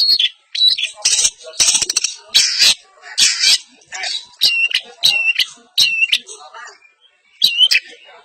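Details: Long-tailed shrike, East Javanese champion-style song: harsh buzzy bursts give way to a series of looping whistled notes that dip and rise, repeated about once a second.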